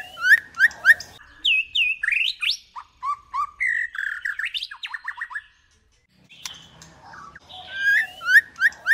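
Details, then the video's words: Female White-rumped shama in first plumage singing a varied run of clear whistled phrases, rising and falling slurs mixed with sharp clicks and quick chattering notes, a short pause near the end before fresh whistles resume. "เสียงนกกางเขนดง หรือบินหลาดง ใหม่ล่าสุด 2021 คมชัด 100% นกบินหลาดง ตัวเมีย"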